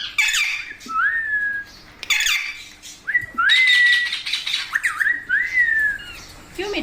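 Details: Pet parrot, called an Indian parrot, giving loud squawks and rising whistled calls in several bursts, with a sliding tone near the middle, while its owner speaks softly in Hindi and faint music plays.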